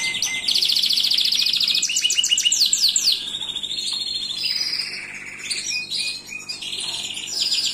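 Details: Gloster canary in continuous song, chaining rapid trills and rolls at shifting pitches with barely a break across the phrase.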